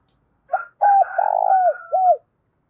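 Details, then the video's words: A decoy spotted dove cooing in the morning to summon the flock gives one phrase: a short lead note, a clear coo, a long buzzy, vibrating coo, then a final falling coo. "Chim Cu Mồi gáy gọi bầy buổi sáng"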